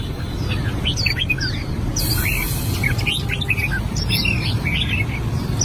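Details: Albino red-whiskered bulbul working on its song: scattered short whistled chirps and slurred notes, a loud hiss-like burst briefly, then further looping whistles, over strong low rumbling background.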